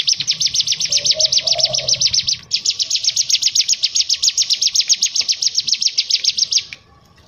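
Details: Bar-winged prinia song used as a model track: a fast, steady rattling trill of high buzzy notes, about four per second, running without pause for six seconds with one brief break, faint low hum beneath.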